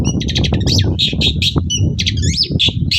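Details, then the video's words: Long-tailed shrike singing busily in the morning as a lure for other shrikes to answer: rapid buzzy chatter mixed with swooping whistled slurs, dense and continuous, over low background rumble. "BURUNG CENDET GACOR PAGI HARI BIKIN CENDET MANAPUN LANGSUNG NYAUT"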